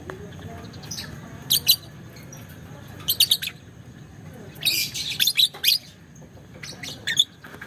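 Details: Lovebird giving the long 'ngekek panjang' chatter. Short clusters of shrill, scratchy chirps are separated by quiet gaps, with a longer burst of rapid squeaky notes midway and a faint background hum.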